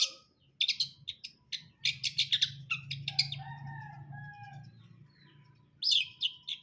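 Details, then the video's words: Long-tailed shrike singing a fast, chattering sequence of grating high notes, with a low steady hum in the background. "KICAUAN CENDET BRUNDOL"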